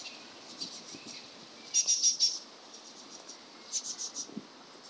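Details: A great tit (Parus major) in Bratislava on 22 May 2013 gives two quick bursts of four thin, high, evenly spaced notes, about two seconds apart, over a faint background hiss.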